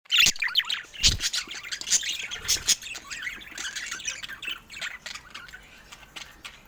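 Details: Adult pet budgerigars kept indoors chatter together in dense, high, twittering warbles mixed with sharp squawks, with a few dull thumps of movement.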